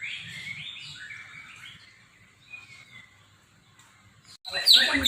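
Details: A competition white-rumped shama sings in kilo style, filling its song with unusual borrowed sounds: a string of clear whistled phrases and slurred notes for three seconds, fading quieter, then a sudden loud harsh burst.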